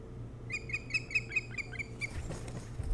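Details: Nest-cam recording of an Osprey on Hog Island near Bremen, Maine, early morning of 3 July 2018: eight or nine piercing whistled chirps in quick succession, followed by rustling noise, with a low mechanical hum throughout.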